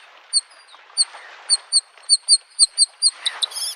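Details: Bluethroat in spring near a lake: evenly spaced bright high ringing notes that quicken into a faster run and end in a short buzzy flourish, with soft wave sounds beneath.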